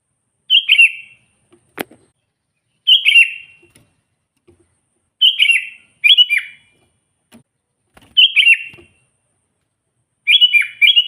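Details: Sooty-headed bulbul in full voice, recorded to lure wild bulbuls and provoke rivals. Bright chattering two- and three-note phrases with falling slurred endings recur every two to three seconds; a few soft clicks and taps between.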